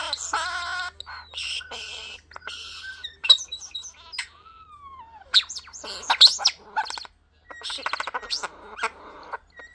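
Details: Pet European Starling whistling indoors: rapid mixed chatter of buzzy bursts and clicks, a clear downward-curving whistle midway, then dense rattling squeaks and a sustained high whistle.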